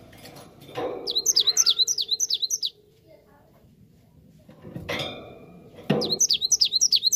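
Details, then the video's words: Cinereous tit song played as a lure to make other birds answer: two bursts of rapid, high, repeated down-slurred whistled notes, each burst lasting about two seconds, with a silent gap between them and low thumps before each burst. "Gelatik batu langsung nyaut dengar ini"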